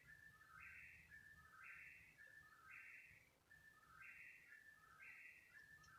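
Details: An unknown bird vocalizing at 3 in the morning for about thirty minutes; steady rhythmic whistled phrases, a flat tone followed by a higher burst and lower slur, repeating roughly every second over low background noise.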